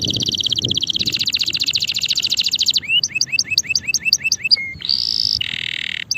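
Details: A male canary sings a high rolling buzzy trill, then quick repeated rising whistled notes, a flat whistle, a rising slur and a nasal buzzy note.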